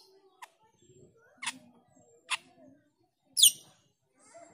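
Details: Harsh calls of a black-winged myna used as a lure for training pied trillers: short dry clicks and rasps, then a louder descending scratchy screech, with faint low chatter beneath.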